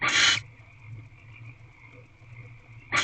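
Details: A female barn owl peers through the door of her nest box on a March evening at 7:57 pm. One short, rasping broadband screech opens, then only a steady electrical hum until another begins at the end.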